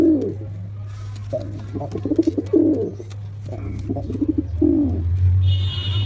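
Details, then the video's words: Black pigeon calls: a string of low rolling coos and short pulsed notes, a low hum throughout and a brief higher tone near the end. "Pigeon sound effect (Ultra high quality) | Pigeon sound | Black pigeon"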